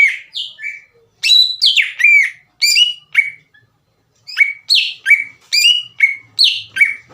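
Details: As a lure to agitate other leafbirds, a greater green leafbird gives sharp, falling whistled notes repeated almost three times a second, mixing high squeaky slurs with lower clear tones and short pauses.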